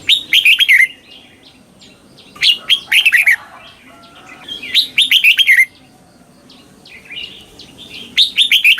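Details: Red-whiskered bulbul from Thailand, southern-style song played to teach young birds to copy it: short bursts of bright, warbled whistles swooping down, repeated in four phrases about two seconds apart with quiet gaps.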